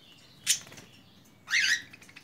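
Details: A budgerigar in a simple home aviary gives a sharp, scratchy burst, then a second later a longer bright warbled chirp with a quick wavering pitch. Otherwise quiet.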